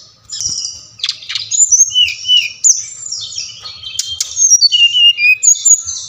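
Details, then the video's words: Brown-chested jungle flycatcher song played to stir captive birds into singing: a rich, varied stream of high whistled slurs, trills and clipped notes, quick and irregular, with a faint low hum beneath. "Sikatan Rimba Dada Coklat | putar ini pasti SRDC anda ngamuk gacor dengan suara ini"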